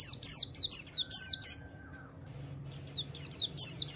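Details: Lure song of a Javan white-eye, Wiklus Wiksar style, for coaxing other white-eyes to sing: bursts of sharp falling chips, a pause of about a second with a faint thin whistle, then the chipping resumes.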